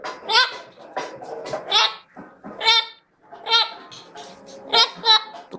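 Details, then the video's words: Chestnut-fronted macaw producing harsh, raspy screeches in uneven bursts, some doubled, separated by short pauses; light background rustle. "Chestnut-fronted Macaw"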